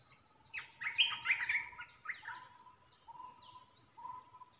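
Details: Bulbul kept as a decoy bird for trapping, giving a burst of bright chattering notes followed by short steady whistled tones repeated about once a second.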